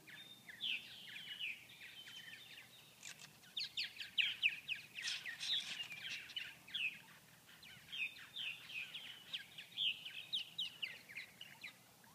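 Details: Purple martins unable to feed in 39°F weather at Grand Forks, North Dakota, with no flying insects, birds largely inactive; continuous chattering of rough, rolling chirps and gurgles, loudest in the middle.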